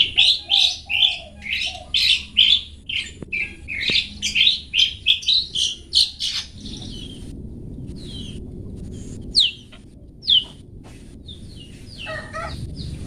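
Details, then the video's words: Long-tailed shrike song for training caged birds: six seconds of rapid, varied, scratchy chattered notes in a dense run, then silence broken by a few scattered sharp notes. "Cendet toet toet Cocok Untuk Masteran Cendet macet"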